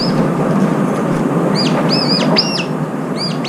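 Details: Brown-eared bulbuls gathered to eat and competing over food, one bird lame in its left foot. A run of three or four shrill, arching squeaks in the middle, then another near the end, against steady broadband noise.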